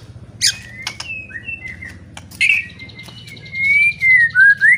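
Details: White-rumped shama singing loudly to provoke rival shamas into fighting. Scattered harsh clicks and a buzzy note lead into long, clear, drawn-out whistles and slurred phrases that grow louder toward the end, over a low background hum.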